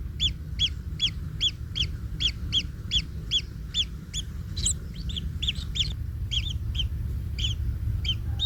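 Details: Inside the nest, baby kingfishers give regular rasping chirps about twice a second, then a more jumbled overlapping burst of notes as the parent steps on a chick; low rumbling noise throughout.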